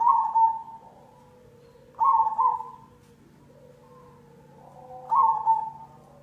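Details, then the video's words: Zebra dove, black cemani type, cooing as a lure for other doves: three loud trilled phrases roughly three seconds apart, each a rolling double coo, with soft lower coos between and steady background hum. "Pancingan perkutut cemani"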